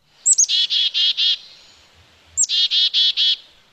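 A Black-capped Chickadee gives its namesake chick-a-dee call twice, about two seconds apart: high, thin opening notes and then four harsh, buzzy dee notes.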